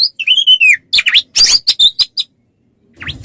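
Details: Oriental magpie-robin tutor song for songbird training: a long falling whistle followed by harsh rasping notes and short sharp chips, then a quiet gap.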